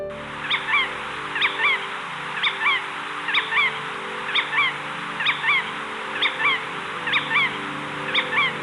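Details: Jerdon's courser, an extremely rare bird last seen in 2008, in one of its only known recordings made around 2001: short, sharp double-noted calls repeated about every second in a steady series, over a low background hum.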